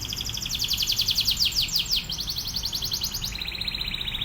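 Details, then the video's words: Atlantic canary singing a master song for other canaries to learn: fast repeated high trilled notes in sweeping phrases, shifting to a lower, steadier trill near the end. "KENARI GACOR//TEMBAKANNYA NGEBREN... MASTERAN BURUNG KENARI"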